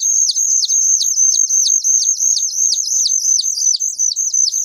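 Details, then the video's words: Very loud whistling thrush chick: a shrill, high continuous tone broken by quick down-slurred chirps, roughly three each second, steady throughout with no other sounds. "suara anakan burung ciung Batu sangat nyaring"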